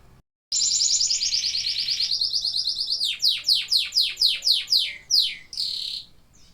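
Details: Singing canaries: a rapid high rolling trill for about two seconds, then a series of loud descending swooping notes repeated roughly twice a second, ending in a short buzzy trill.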